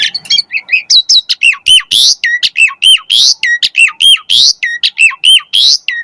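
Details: Asian pied starling pumping out vigorous song, recorded to train and lure other starlings. Rapid repeated phrases of harsh squawks and dipping whistled notes, about eight per second, loud and continuous.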